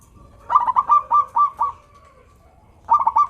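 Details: Local zebra dove singing melodiously, used to get lazy doves singing: a fast stuttering run of bubbly, pulsed cooing notes, then a pause and a shorter second burst.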